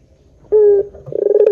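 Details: Short burst from a Barbary dove lure call in pelung style: a clean held low coo, a pause, then a quick pulsing rolled note rising into the next coo.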